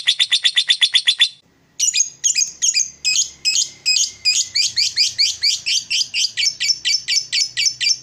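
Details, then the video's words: Lovebird in ngekek style, a chattering song aimed at provoking other lovebirds: a rapid, even train of shrill notes, a brief pause, then a long fast ratcheting trill of high squeaky notes. "Lovebird ngekek bikin lovebird kamu darah tingi"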